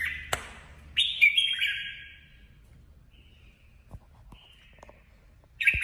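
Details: Female red-whiskered bulbul decoy bird in competitive singing. A single warbling, whistled phrase is followed by a long quiet stretch with faint clicks, then another brief phrase at the end.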